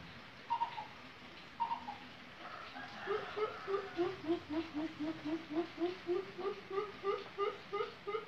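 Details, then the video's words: Coucal (bubut lombok) in full song: two higher opening notes, then a long run of low, hollow hoots, about three to four per second, over a steady background hiss. "burung bubut lombok gacor"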